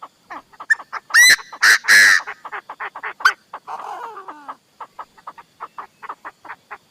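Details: Chinese francolin decoy calling loudly: a few clicks, then three harsh, blaring notes, a scratchy drawn-out grating sound, and a trailing series of quick soft clucks.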